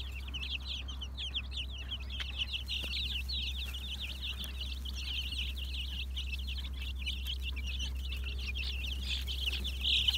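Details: Black Mottled Brahma chickens, 2020 stock, Istanbul: continuous shrill peeping from a crowd of birds, quick repeated notes blending together above a constant low hum.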